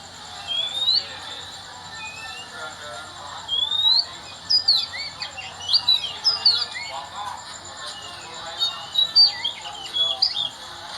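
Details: Morning song of an Oriental magpie-robin: a lively run of varied whistles, rising slurs and quick chattering notes, coming in close bursts through most of the stretch over a faint constant high tone.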